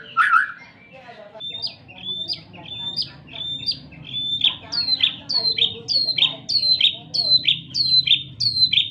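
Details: White-rumped shama, murai batu, in lively gacor song used as a lure to make other shamas sing: a series of loud, sharp whistled notes dropping in pitch, repeated about every half second, over a low steady hum.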